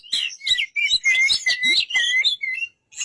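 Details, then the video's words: White-rumped shama delivering quick chirps and clear whistled notes in a dense, slightly buzzy phrase lasting about three seconds. "burung kacer"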